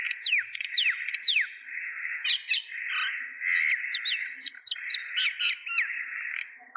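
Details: Mynas calling together in Kulaura, Sylhet, Bangladesh: a continuous, noisy chorus of raspy chirps punctuated by repeated sharp whistled downslurs and high squeaks.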